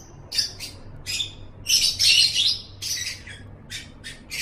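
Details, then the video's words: Lovebird recording for conditioning pet birds, with short harsh squawks and chirps, a longer grating chatter in the middle, and fast clipped notes trailing off toward the end. "Masteran Suara Burung Love Bird"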